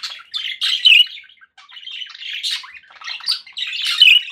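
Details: Pet budgerigars warble and chirp in quick, scratchy phrases, with a few louder bright squeaks rising above the steady chatter.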